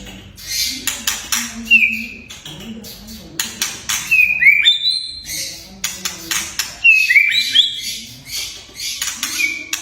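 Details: Whistling and crackling song of a white-rumped shama (murai batu), used to prompt young or quiet birds: scattered short high slurred whistles, frequent harsh clicking bursts, steady low background hum.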